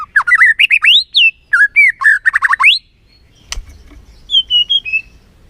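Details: White-rumped shama lure song meant to excite a reluctant bird into singing: a fast, jumbled string of loud, varied whistles and rising slurs with buzzy overtones, a click, then softer descending whistled notes.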